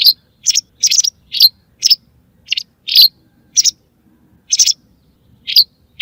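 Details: Hunting lure sound of a white wagtail: crisp, high chirps in a fast, uneven series, thinning out toward the end.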